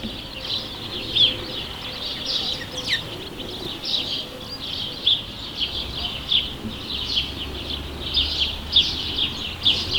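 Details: Continuous chatter of house sparrows, with many overlapping short chirps and a few louder, sharper notes standing out at irregular intervals over a soft noisy background.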